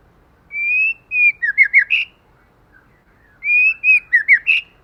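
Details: White-rumped shama pair, male and female, singing forest-style as a lure to excite other shamas: two matching phrases, each a long level whistle followed by a fast tumble of four or five looping notes.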